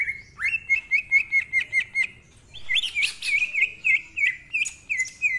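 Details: Greater green leafbird singing in the energetic ngentrok style, full of fills with a rough voice, used as a lure and tutor bird: a quick run of about eight clear whistled notes, each with a sharp click, then a pause and a harsher, buzzier run of bending whistles.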